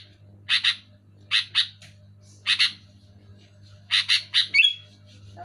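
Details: Sooty-headed bulbul calls aimed at stimulating quiet caged bulbuls: harsh chirps in pairs about a second apart, closing with a triple burst and a short whistled slur, faint hum behind.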